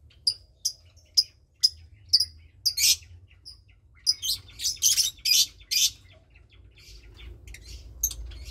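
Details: Nestling lovebird, roughly 20 days old, one of two chicks raised by a Parblue Turquoise and Euwing Blue Opaline pair; high single peeps every half second give way to louder, harsher buzzy squawks, then quiet.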